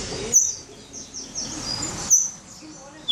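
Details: Agitated pixarro (Green-winged Saltator) kept at an aviary in Sorocaba, São Paulo, Brazil, giving sharp high metallic ticks about two seconds apart, with soft fainter chirps between them and a constant background hiss.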